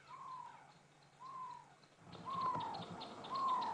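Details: Barred owl calling at sunset in the greater Kruger National Park bushveld in August: four drawn-out, slightly downslurred notes at a steady mid pitch, about one per second, over a growing low rumble; a clicking alarm-like sound follows.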